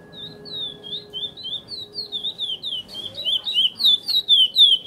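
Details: Praia-style song of a chestnut-bellied seed finch (curió): quick strings of bright whistled notes with downward and upward slurs, growing louder toward the end, some low background hum.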